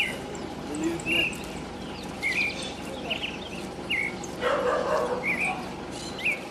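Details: Pale-breasted thrush singing in the city: short whistled, slurred phrases repeated every second or so over a busy urban background, with a dog barking loudly midway and a steady low traffic rumble.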